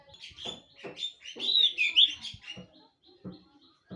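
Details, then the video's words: Common iora sings a jumble of high chirps and a few clear swooping whistles, mixed with scattered clicks and knocks, trailing off into thin repeated notes. "BURUNG CIPOH"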